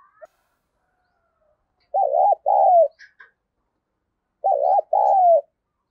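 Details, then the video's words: Female spotted dove calling to stimulate males, delivering two clear coo phrases, each a bouncy wavering note run straight into a longer drawn-out coo that sags at the end, with a brief faint chirp between them. "cu mái gáy kích trống hiệu quả, trống nghe rất phấn khích và nổi nhanh"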